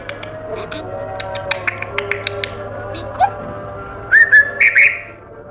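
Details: Pet African grey in its cage: a run of soft clicks and ticks, then a short upward whistle and a burst of several clear, rising whistled notes near the end, with steady background hum.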